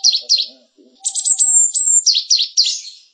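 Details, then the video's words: A Java sparrow, recorded as a tutor song for canaries, sings high, quick chipping notes, then a thin sustained whine, followed by more rapid bouncing chips about four per second. "masteran suara gelatik"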